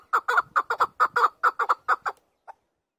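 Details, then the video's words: Chukar partridge voice: about a dozen loud, throaty chuk notes in quick, slightly paired rhythm over two seconds, ending with a single softer note. "Keklik sesi. Chakor bird singing. Chukar voice. Chakor sound."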